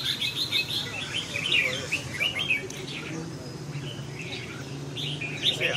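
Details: Red-whiskered bulbul singing a lively run of short, chirping, warbled notes that rise and fall, with bursts roughly every half second, over a steady low background hum.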